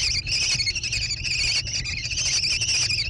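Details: American kestrel nestlings in a barn nest box near Prairie du Chien, Wisconsin, 14 June 2022, give a brief run of high, quavering, buzzy trills with slight pitch wobbles over a low camera hum.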